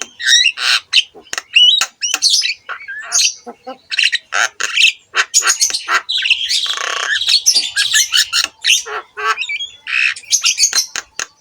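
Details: Javan myna singing in a training recording for other mynas: a long varied medley of rasping squawks, clicks and rising whistles, delivered in quick bursts with a sustained harsh chatter midway.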